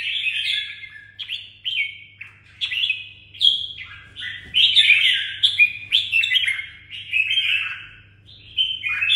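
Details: Caged red-whiskered bulbul in Đồng Nai, Vietnam, singing a long series of short, clear, bouncy warbled phrases, each under a second, separated by brief gaps over a faint electrical hum.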